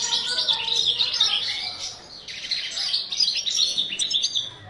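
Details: European goldfinch in a breeding aviary giving a rapid, jangling song of high chirps and liquid trills, with a brief pause midway before the twittering resumes.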